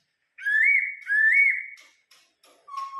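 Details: Laughingthrush from Vietnam, kept as a cage bird, singing: two clear whistled phrases, each sliding upward then holding a steady note, followed by a few short soft notes and a lower flat whistle.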